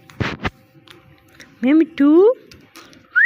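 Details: Parrot kept as a pet, starting with a noisy burst, then two loud, low meow-like syllables with rising pitch, ending in a short upward whistle.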